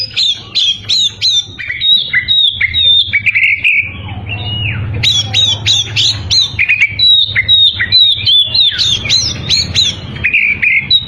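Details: White-rumped shama singing aggressively to lure rivals, bursts of rapid sharp downslurred notes and harsh squawky phrases, a brief lull, then another energetic rapid series with buzzy ends.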